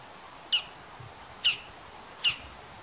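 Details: A male Bull-headed shrike (Lanius bucephalus) gives its high-pitched call: three sharp, high, squeaky notes about one second apart, each dropping slightly, over a quiet background.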